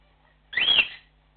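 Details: Single loud, harsh, upslurred chirp from a cockatiel calling to its flock, lasting about half a second in a quiet room.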